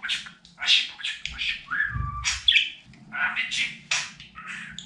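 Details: Talking pet budgerigar indoors: raspy, speech-like mimicked syllables run together quickly, with a short level whistle in the middle and squeaky chirps, under a steady low household hum.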